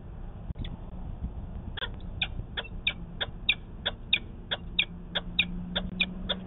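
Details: At a Manchester, New Hampshire nest on 19 February 2020, a peregrine falcon gives a fast run of sharp, chipping calls during a nest 'conference', recorded by a nest camera. The calls come several per second and grow steadier, over a constant low hum.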